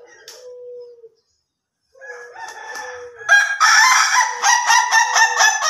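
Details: Ayam Ketawa chicken, slow and durasi crow styles contrasted: faint thin tones and soft sounds at first, then a loud burst of rapid, stuttering, cackling laugh notes running to the end.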